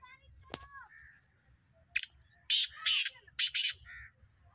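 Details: Black francolin calling, kept in preparation for the breeding season: a short series of harsh, buzzy, grating notes in two or three loud bursts, preceded by a sharp click and a few faint thin notes.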